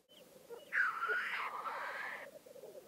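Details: Black grouse at a lek in Vinje, Telemark, Norway: a steady low, rapid bubbling coo runs throughout, broken by one loud, harsh hissing sneeze lasting about a second and a half.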